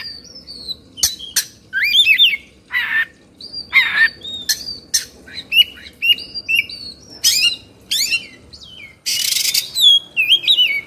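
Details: Oriental magpie-robin in 'emosi' state, fluffing and spreading its tail, Indonesia. Long series of loud ringing whistles and bent slurs at steady pace, interspersed with brief harsh noisy bursts.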